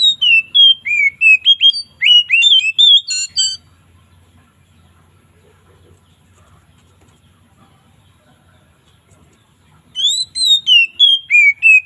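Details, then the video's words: Afternoon ngeplong song of an Oriental magpie-robin, loud and relaxed with variations: quick bright whistled phrases and a short harsh buzzy burst, then about six seconds of quiet before the sweet whistling resumes. "SUARA KACER NGEPLONG SANTAI|VARIASI DI SORE HARI"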